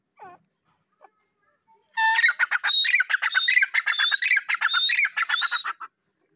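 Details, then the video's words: After a few faint ticks, a black francolin bursts into nearly four seconds of loud, scratchy chattering with high squeaky accents, repeated steadily, about ninety-five notes a minute, then stops abruptly. "kala teeter ky awaz"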